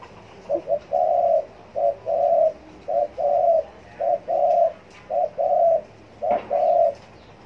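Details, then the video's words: Spotted dove cooing on demand, steady and even. Each phrase is a short coo followed by a longer, hollow, rolling coo, repeated about every 1.1 seconds over light background hiss. "Cu gáy gù theo ý muốn"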